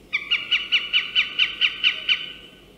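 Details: A Northern Goshawk from Central Russia gives a harsh, cackling series of about ten loud notes, five per second, falling slightly in pitch and fading toward the end.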